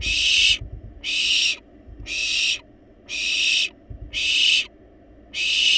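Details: Well-fed wild barn owl chicks still begging for food inside a nest box; repeated noisy rasping hisses, each over half a second long, given roughly once a second, with light scuffling thumps.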